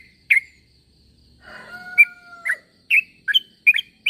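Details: Sooty-headed bulbul calling to draw other bulbuls to answer: short bright chirps near the upper-middle range, scattered then bunched toward the end, with a pair of long steady whistled tones in the middle.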